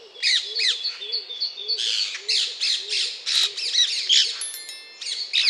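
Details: Dense, overlapping harsh squawks and screeches of Alexandrine parakeet almost without pause, with soft low cooing calls underneath.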